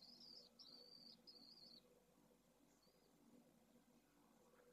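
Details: Newly hatched Pallid swift nestling from a second brood in Jerez de la Frontera, Spain, calling to be fed, 2022. Three shrill, quavering high bursts come in the first two seconds, then near silence with one faint squeak, over a soft constant hum.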